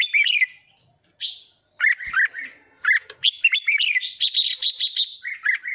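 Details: Trained red-whiskered bulbul in an excited state sings near-continuously: fluty descending whistles and rolling phrases that build into a rapid, buzzy chattering series before lower whistled notes return.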